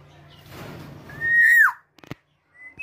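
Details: One loud, pure whistle from a tame female black-naped oriole, held steady then bending sharply downward, followed by a few knocks and a faint higher note.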